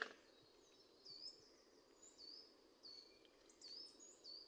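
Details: Middle spotted woodpecker (Dendrocoptes medius) in Liepāja, Latvia, November 2023, gives thin, high, sharp call notes about every second, some in quick pairs, over a steady hiss.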